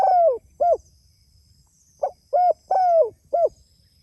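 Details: Spotted dove calling its companions: the tail of one cooing phrase, then after a short pause a full phrase of four low, soft notes, with the third note drawn out and sliding down in pitch.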